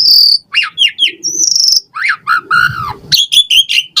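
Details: Asian pied starling singing a lively, varied song used to prompt caged birds to sing: clear whistles, some sliding up and down, mixed with quick chattering notes and short buzzy bursts in rapid succession.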